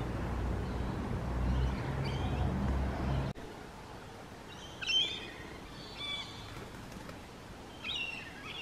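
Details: Rainbow lorikeet calls: short, harsh, screechy bursts come in small clusters about once a second. They follow a low rumbling background that cuts off abruptly near the three-second mark.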